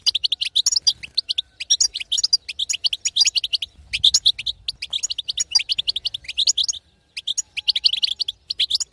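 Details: European goldfinch female's stimulating batbata for a non-singing male: long stretches of rapid, jingling twitter in repeated bursts, with one short silent break toward the end.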